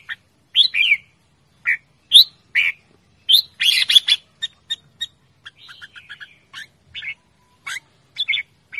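Red-whiskered bulbul giving bright, lively chirps and short warbled phrases in irregular bursts, some quick and squeaky, others brief whistled runs, with quiet gaps between.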